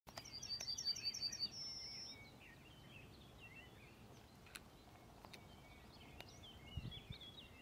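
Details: A Yellowhammer (Emberiza citrinella) sings a fast series of about eight high, dry repeated notes ending in one long drawn-out note, at Ljubljansko barje, Slovenia, on 13 April 2024; other small birds twitter faintly behind.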